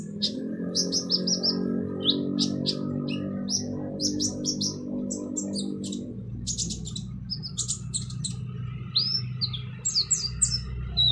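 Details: Van Hasselt's sunbird singing a harsh training song for other birds: dense bursts of high buzzy chirps and squeaky trills, with a rising-falling whistled note near the end, over a strong low droning hum that fades midway.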